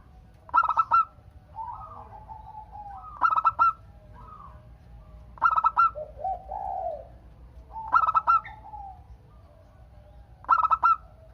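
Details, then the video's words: Zebra dove of local stock, singing to draw replies from other doves: short bursts of quick, stuttering coos about every two and a half seconds, five in all, with soft, wavering coos in the gaps. "Perkutut Lokal Gacor Untuk pancingan kutut perkutut agar saling bunyi BERSAUTAN"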